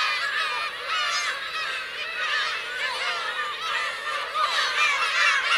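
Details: Black-tailed gulls, adults with chicks, on the Kurosaki coast, Teuri Island, Japan, June 2021, keep up a thick layer of wavering, cat-like cries from many birds, swelling near the end.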